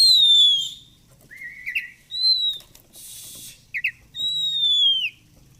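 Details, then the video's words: Oriental magpie-robin singing 'gacor fighter' style, presented as therapy for birds that rarely sing: long clear descending whistles, a short rising note, a brief rustling burst, then another drawn-out falling whistle. "Kacer gacor fighter//ngobra Joss//terapi untuk Kacer susah bunyi"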